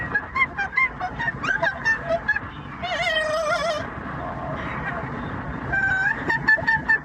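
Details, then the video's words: Yellow-naped amazon parrot kept as a pet, singing opera and making noise in a vehicle: quick staccato note series, a sustained quavering operatic wail, then more clipped notes, with steady traffic rumble behind. "the Parrot singing opera and making noise for the commute"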